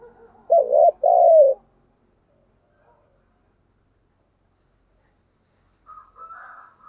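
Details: Two loud, deep coos from a spotted dove in the thúc gù style, the second drawn out and falling, followed by silence and a faint higher wavering note near the end.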